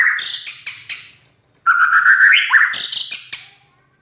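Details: Loud, coarse-voiced song of a white-rumped shama: a scratchy opening burst, a short silence, then a long rising whistled phrase ending in buzzy rasps.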